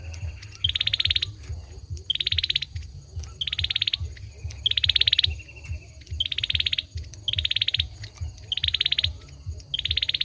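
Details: Song of a male olive-backed sunbird: a long series of short, rattling high trills, each sharply started and evenly pulsed, coming about once a second over a constant low droning hum.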